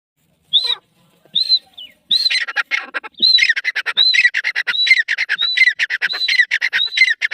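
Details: Grey francolin, known locally as teetar, begins with a few separate whistled notes. It then breaks into a dense, scratchy chatter, with a ringing whistled note recurring roughly every 0.7 seconds to the end.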